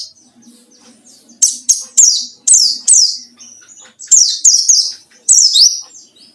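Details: Excited white-eye song meant as bait to challenge rivals: dense clusters of high, piercing chirps sweeping downward, some ending in a brief flat whistle, with faint soft sounds below.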